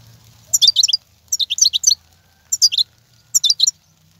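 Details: European goldfinch wild song from 2019, used to motivate caged birds: four bursts of liquid, jingling twitters roughly once a second over a steady low hum.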